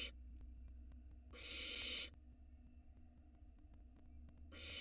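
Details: Small barn owl nestling on a nest camera in Israel, 2022, while swallowing a huge rat whole: two harsh, breathy hisses, one long burst near the start and another beginning at the end, over quiet background hum.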